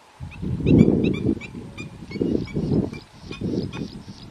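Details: A Garganey duck's coarse, low, rattling calls come in four or five separate bursts, each about half a second long. Brief high chirps from small birds are heard between the bursts.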